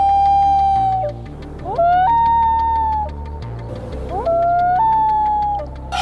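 A Common Loon gives two long, mournful wailing notes, each leaping upward partway through and then holding steady, with a faint low hum underneath.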